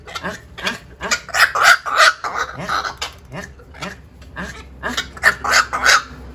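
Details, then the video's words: Harsh, croaking calls of black-crowned night herons used as a decoy to draw the flock, repeated about three times a second in uneven bursts and rising in loudness, over a low steady background hum. "Tiếng vạc kêu/ vạc kêu / tiếng vạc mồi/âm thanh vạc mồi"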